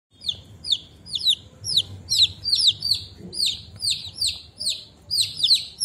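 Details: Chicks peeping: several high, thin, downward-sliding peeps, often in pairs or triplets, repeated rapidly and overlapping throughout, with a soft low rumble beneath.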